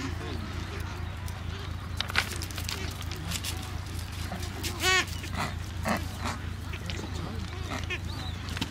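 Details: Adélie penguin at its Paulet Island breeding colony, Antarctica, 1 February 2019, among about 150,000 pairs: one loud, harsh, buzzing call near the middle stands out from scattered colony chatter over a low continuous rumble.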